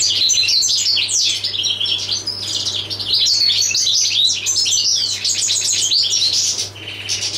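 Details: European goldfinch, a 'jilguero del paso', singing a fast, tinkling, twittering song of high liquid notes and short buzzy trills in nearly unbroken phrases, with a low steady electrical hum underneath.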